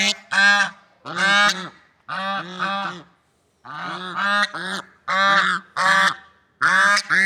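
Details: Swans in nature giving loud, nasal, trumpet-like honks, mostly in double notes, in bursts separated by short pauses, with some irregular silent gaps.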